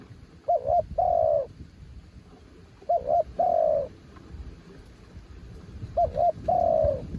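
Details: Spotted dove, a mountain bird, cooing three times at steady intervals: each phrase is a brisk double coo and then a longer, mellow note that drops slightly. Low rumble underneath.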